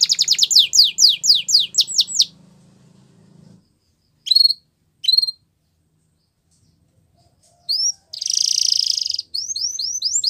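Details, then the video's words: Canary song for training quiet canaries to sing again: rapid descending whistled notes repeated about four per second, a low hum beneath, a pause, two sharp chips, then a dense buzzy trill followed by more swept notes. "Your Canary Is Quiet ? Will Sing Again After Listening To This"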